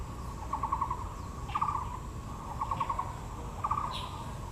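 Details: Taiwan blue magpie at Yangmingshan National Park, Taipei, among azaleas, giving short, rapid rattling bursts of mid-pitched notes, repeated about once a second, over a low steady background rumble.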